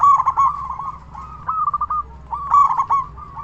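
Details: Loud-voiced local zebra dove calling actively to provoke other doves into responding. It gives three bursts of rapid, rippling coo notes, each phrase starting strongly and tapering off, with brief gaps between them.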